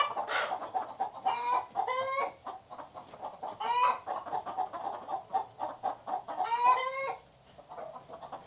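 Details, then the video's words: A hen gives quick, low, throaty clucks, broken by three longer, drawn-out nasal squawks spaced a few seconds apart. "Hen Sound Effect"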